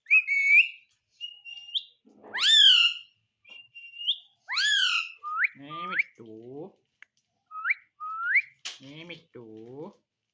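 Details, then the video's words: Pet talking parrot mimicking speech and whistles: rising whistled notes and drawn-out speech-like syllables with stacked harmonics, repeated in short phrases amid background music. "Talking parrot"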